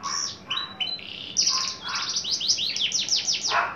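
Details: Adult male Javan bush lark, caged and fully tame, just coming into breeding condition, with a few slurred whistles then a fast series of repeated descending high notes.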